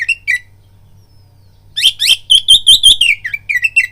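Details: Oriental magpie-robin singing as a fighting lure: after a quiet opening, a run of sharp, clear whistled notes repeated quickly, mixed with a few harsh buzzes, over a faint low hum.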